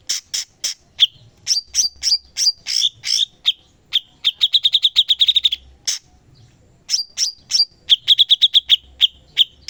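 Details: Cucak cungkok, a bulbul kept as a master songbird for training other birds, in energetic full song: sharp high chips and whistled notes, then rapid rattling trills of repeated notes in bursts, with brief pauses between phrases.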